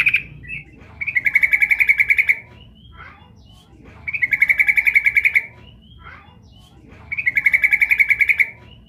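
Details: Sooty-headed bulbul female calling the male, used as a lure to draw responses; three bursts of rapid, even chattering trill, each lasting over a second, repeated about every three seconds with quiet gaps between.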